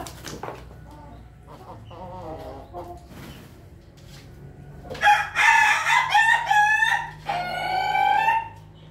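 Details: Laughing chicken (ayam ketawa) crowing. Quiet opening seconds with faint background noise, then a loud, harmonic, choppy crow bursts in near five seconds, followed by a steadier drawn-out note rising slightly at its end.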